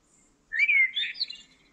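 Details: Common blackbird, probably (recordist believes so), near Almonaster la Real, Sierra de Aracena, Huelva: one short song phrase, a mellow fluty warble sliding down, then a quick higher twittering flourish, within about a second.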